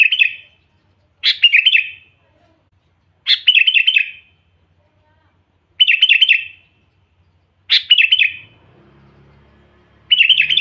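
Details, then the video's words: Sooty-headed bulbul calling to provoke wild bulbuls: short warbled chirping phrases repeated roughly every two seconds, with faint low rumbling near the end. "suara burung kutilang gacor memanggil kutilang liar suara asli alami"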